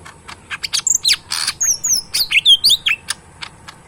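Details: Pet green leafbird (cucak ijo mini), very tame and in full song in its cage, gives rapid high, sweet whistled notes and chattery clicks. The notes bend up and down, packed closely together.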